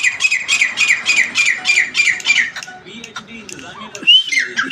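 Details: Rapid series of grey francolin (teetar) notes: bright, harsh, repeated about four times a second for over two seconds. Softer scattered squeaks follow, then one more loud slurred whistle near the end.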